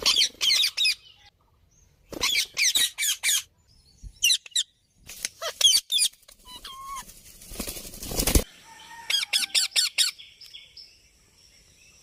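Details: Harsh, rasping parrot calls come in quick clusters of three to five notes separated by short silences. A scratchy rustle or flapping burst runs in the middle, and a few thin whistles are heard.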